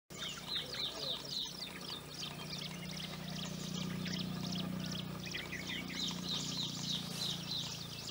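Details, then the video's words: A common babbler in Udaipur, Rajasthan, India, sings a fast, chattering run of short high notes, about three each second, over a steady low hum like running water. "The Sweet Singing Babbler"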